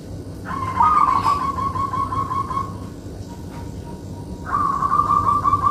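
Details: Zebra dove, local strain, singing: long, sustained, finely trilled coo notes held for about two seconds each, a quieter steady tone between them, and low background hum.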